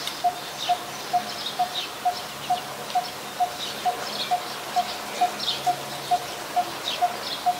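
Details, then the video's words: Coppersmith barbet, a very common resident, recorded in Ubon Ratchathani, Thailand, on 2 January 2021. It gives a steady series of low, hollow 'tuk' notes, about two per second, while other birds chirp in the background. "นกตีทอง : Coppersmith Barbet"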